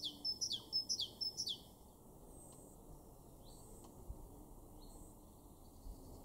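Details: Great tit singing in a garden in Weener, East Frisia, in Germany's far northwest, April 2023: four quick, bright, high two-note phrases repeated in a burst, followed by faint thin whistles over a quiet background.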